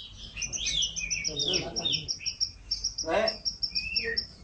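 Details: Yellow long-necked canary, loud-voiced, singing master song: thin high drawn-out notes and a fine trill over a few rising and falling whistles, partly covered by rustling noise.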